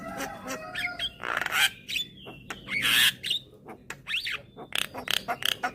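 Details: Young Javan myna with white eyes, calling diligently and bobbing its head to lure other mynas. It gives loud, harsh, broadband squawks broken by short clear whistles and clicky notes.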